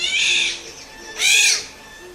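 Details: Black-naped (Chinese) oriole nesting in tree crowns near the village of Gribskoye in summer. Disturbed, it gives two harsh, rasping, cat-like alarm squalls, each about half a second long and about a second apart, over faint music.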